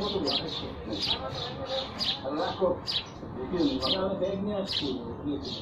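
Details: Busy sparrow chirping, many short high chirps tumbling close together, set against a fairly loud lower rumble of background noise that may include voices.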